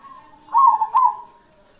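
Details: Single burst from a cemani zebra dove: a loud, rolling two-note coo after a faint, steady cooing lead-in.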